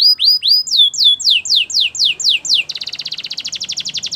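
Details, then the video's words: A singing Belgian canary gives slow looping whistles, then a regular run of falling sweeps, and finishes with a fast, dense rattling trill. "Do this and your belgian canary will sing a lot!! The best canary song"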